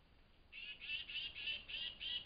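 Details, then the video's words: Excitable tufted titmouse calling at dawn at a flying squirrel feeding station in woodland; six drawn-out, husky, buzzy notes follow one another steadily, slightly muffled, over low background hiss. "Tufted Titmouse Call"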